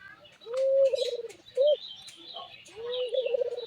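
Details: Albino Barbary dove giving a strange, unusual call: a long, steady low hoot that breaks into a rapid pulsing tremolo, then a short clipped note, then the long pulsed coo again. Faint music plays in the background.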